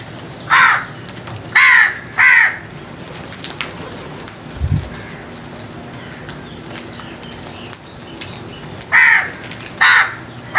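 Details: Crows giving loud, harsh caws: three hoarse calls in quick succession near the start, a long pause, then two more rough caws toward the end, against faint background hiss.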